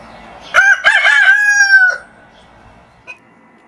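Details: A rooster crowing at morning, sensing sunrise ahead: one clear cock-a-doodle-doo of about one and a half seconds, opening with quick stuttered notes and ending in a long level tone, followed by quiet.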